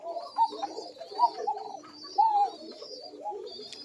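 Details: An adult female Koka pigeon in a pigeon loft gives soft, throaty, rolling coos in several low bursts, with faint higher chirps from other birds; females are said to call less than males.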